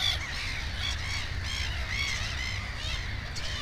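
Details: Black-headed gull at its nest with two chicks; harsh, nasal, harmonic calls repeat through the clip, overlapping other gulls, over a steady low rumble.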